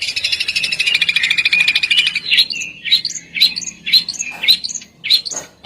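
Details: Besetan bird song opening with a long, harsh buzzing trill, then separate sharp, squeaky whistled notes at irregular intervals.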